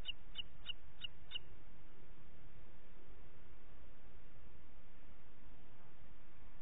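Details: Booted eagle in Parc Natural dels Ports on 27 June 2021 at 09:06, giving five short shrill notes in quick succession before falling silent, leaving only low background hum.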